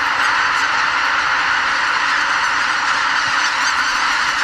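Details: Greater white-fronted geese calling en masse before dawn as tens of thousands depart their spring migration roost at Lake Miyajimanuma, Bibai, Hokkaido, heading for nearby farmland to feed. Thick continuous chorus of nasal honks, no single bird distinct.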